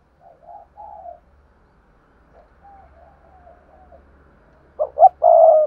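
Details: Spotted dove used as a decoy to draw coos from other doves; soft low wavering coos with a faint low hum behind, ending in one loud three-part coo with a long final note.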